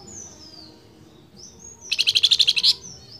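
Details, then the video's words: A Flamboyan bird, said to be calling its female, gives thin, high whistles, then a fast burst of about ten sharp, bright notes in under a second; quiet background. "BURUNG FLAMBOYAN NYENTRIK GACOR MEMANGGIL BETINANYA"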